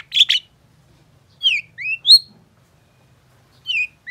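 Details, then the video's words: Long-tailed shrike in lively song, offered as a lure to prompt silent shrikes to sing: a harsh double burst, then a pause and several separate high whistled notes, some falling, others rising. "CENDET LAIN PASTI IKUT GACOR❗️Pancingan Cendet Gacor Cocok Buat Masteran Cendet Macet Agar BUNYI"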